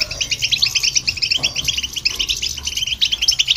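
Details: Short burst of goldfinch song recorded with a hybrid to agitate other birds: rapid, pulsing twitters and buzzy chirps delivered in quick runs.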